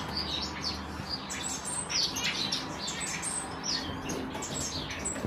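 A group of African silverbills twitters constantly with thin, high, overlapping chirps and short squeaky notes over a low background hum.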